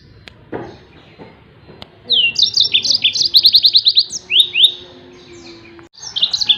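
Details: Near silence for two seconds, then a yellow-fronted canary bursts into tembakan song for tutoring other songbirds: quick high trills and slurred notes, a pause, and a brief closing phrase.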